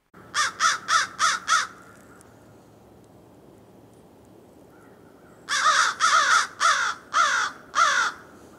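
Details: In winter in eastern North America, an American Crow gives its signature cawing: a quick series of five harsh, hoarse caws, then a pause and another rapid series of five.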